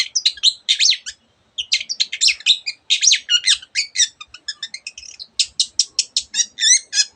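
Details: Long-tailed shrike in vigorous song packed with varied imitations of other birds: dense bursts of high chattering notes and rapid trills, brief pauses between phrases, ending in a run of wavering whistled slurs.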